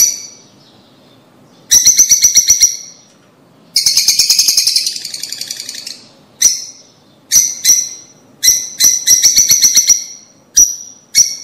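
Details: Lovebird vocalizations used to stimulate mating and breeding: harsh, buzzy chattering notes, one long grating burst and a run of sharp rasping chirps with brief silences between them.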